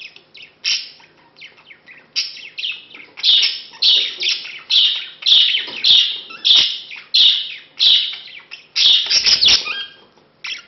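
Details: Male budgerigar wooing a female met two months before, followed by mating; soft twittering opens, then a rapid chain of loud, buzzy chirps roughly every half second, ending in a jumble of warbled notes.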